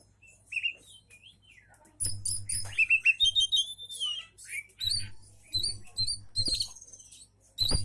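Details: Oriental magpie-robin singing to make other magpie-robins answer: varied high whistled phrases, sliding notes and quick chattering bursts, with occasional low thumps between phrases.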